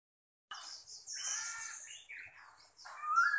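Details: Chinese hwamei (Garrulax canorus), a large caged male with a spread tail, sings a rich, fast run of varied phrases, mixing clear whistles with buzzier, harsher notes and ending on a loud, rising whistle.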